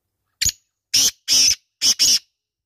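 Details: Black francolin calling: a short harsh opening note followed by two pairs of loud, grating, rasping notes, the whole phrase lasting under two seconds.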